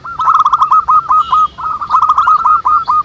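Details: Local zebra doves singing together in the wild, used as a lure to set others cooing: rapid rolling, trilled coos in quick bursts, several birds overlapping with little gaps.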